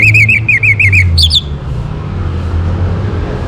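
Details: Orange-headed thrush singing in the morning, a recording meant to bring birds into breeding condition: a fast series of repeated rising-and-falling whistled notes, ending in a higher twitter, then only low rumble.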